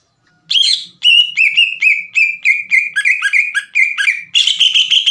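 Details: Energetic green leafbird song meant to provoke young leafbirds into calling back: a string of sharp, clipped whistles about five per second, each dropping then flicking, ending in a harsher rasping flourish.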